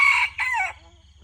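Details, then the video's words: Red junglefowl crowing in the morning during decoy luring: a loud, harsh two-part crow, the first burst strong and the second dropping in pitch and fading, over a faint low hum. "ต่อไก่ยามเช้า ຕໍ່ໄກ່ປ່າຍາມເຊົ້າ"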